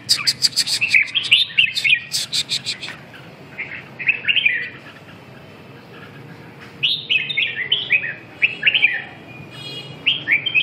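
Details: Red-whiskered bulbul song: opening burst of rapid clicking chirps, then after a quiet pause, lively warbled whistled phrases that rise and dip, repeated in short groups.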